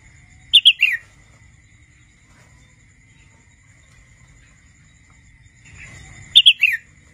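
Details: Juvenile wild Red-whiskered bulbul practising its song: two short phrases of quick clear whistles, each three notes falling at the end, about six seconds apart, over a steady thin background whine.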